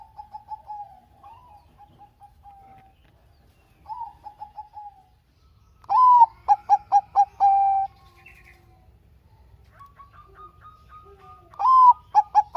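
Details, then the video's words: ['Softer, distant-sounding coo sequences give way to loud, close Bangkok zebra dove phrases, each with a slurred opening note, quick rhythmic coos and a long level ending. Used as a lure to set idle doves singing.'] "Pancingan Perkutut Bangkok Gacor - suara Kutut Bangkok Gacor ini paling AMPUH bikin Bunyi yang Malas"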